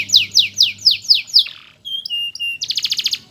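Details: A canary sings as a master bird for song tutoring. Six loud downslurred whistles come about every quarter second, then two flat whistled notes, then a fast rattling trill. A faint low hum is heard at the start.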